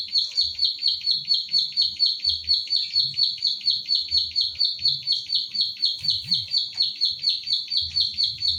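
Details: Kept pied bushchat (ciblek sawah) recorded by phone in Central Java as a bird-training recording: a long steady series of about eighteen sharp high clicking notes, roughly two each second, over a quiet low hum.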